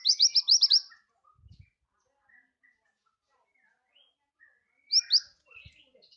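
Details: High-pitched scarlet minivet song, meant as a master recording for other birds: a short quick run of about six whistled notes, a long quiet stretch with faint background noises, then two more notes.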